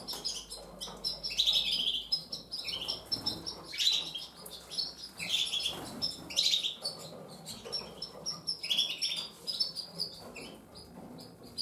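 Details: Gloster Fancy canaries, a breeding pair showing breeding behaviour, trade high chirps and brief sharp tweets in loose clusters every second or two over nearly twelve seconds, with quiet rustling in the background.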